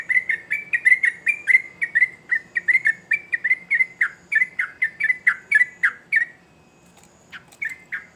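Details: Sooty-headed bulbul singing in a lively burst. About twenty-five rapid, bright chirps run for six seconds, then a short quiet gap before a few scattered notes return.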